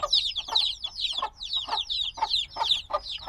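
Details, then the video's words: Newly hatched black baby chickens chirp noisily, a continuous mass of high sliding peeps overlapping one another, punctuated by short lower thuds every few tenths of a second. "Baby Chicks Sounds - Baby Chicken Chirping Noises"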